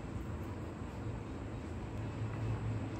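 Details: Continuous broadband rumbling noise like a passing vehicle, with no animal voice heard.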